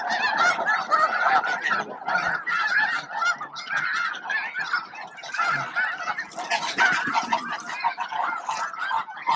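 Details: Thousands of snow geese feeding, grooming and facing off for space at Bosque del Apache around noon; a dense, continuous din of overlapping nasal honks from the flock, loud and unbroken throughout.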